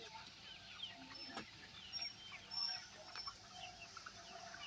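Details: Laying hens giving soft arched clucks and chirps, several birds overlapping at a low level. Occasional sharp knocks and thin high whistles are heard in the background.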